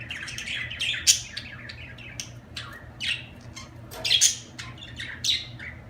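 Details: Budgerigar chirping in uneven bursts: soft warbles broken by sharp squawks about every second, the loudest near one and four seconds, with a faint low hum behind.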